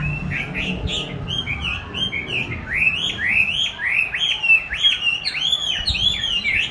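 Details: Chinese hwamei duelling with playback of its own song: repeated arched whistled phrases, each rising then falling, delivered in a lively rolling sequence with faint low background hum.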